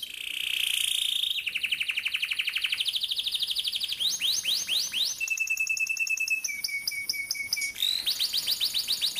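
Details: Canary training song for young canaries: a long steady whistle, then extended rapid rolls of repeated notes, downward slurs, thin sustained tones with clicks, and a final fast trill.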